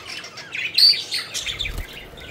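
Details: Budgies at play, a short burst of bright chirps and a thin whistled note, then a low thud as the chatter trails off.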